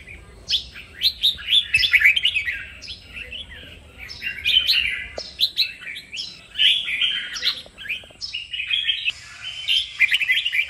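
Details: Red-whiskered bulbul singing for song training, delivering a long sequence of lively warbled phrases, quick slurred whistles and chirps in irregular bursts, with hardly any break between them.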